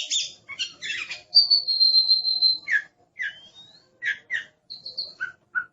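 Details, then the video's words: Oriental magpie-robin master song in aggressive style, with scratchy opening notes, one long sustained high whistle, then separate short downward-slurred whistles and chirps spaced out toward the end. "Suara Master Burung Kacer Galak"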